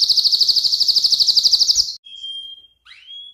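A canary sings a fast, high, rolling trill of about ten notes a second for two seconds, then a steady thin whistle and a quick upward-sweeping note.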